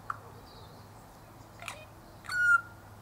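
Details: A Spiny-cheeked Honeyeater (Acanthagenys rufogularis), sipping sugar syrup from a feeder in a native cypress tree, gives a soft rasping note, then a louder nasal, slightly squeaky call about a second later, over quiet background hum.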